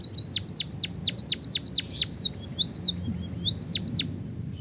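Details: White-headed munia singing long, canary-style rolling song, used to tutor and stimulate other birds to sing: a quick run of sharp, high downward-slurred chirps, about four per second, then a few soft rising notes and more chirps.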